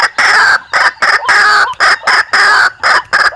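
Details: White-breasted waterhen call played as a lure to attract birds for hunting in Indonesia: loud nasal croaking notes in regular pulses, roughly three per second, each with a harsh buzzy tone.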